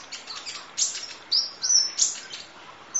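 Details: Kolibri ninja sunbird, full 'isian nembak' tutor song: faint high twitters leading into loud shrill whistled notes and sharp chips packed close together.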